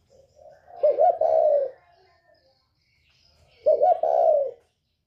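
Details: Northern-type spotted dove calling in the 'còi bổi' voice, used to provoke other birds. Two separate throaty coo phrases are heard about three seconds apart, each a quick stuttered start followed by a longer, steady, mellow coo.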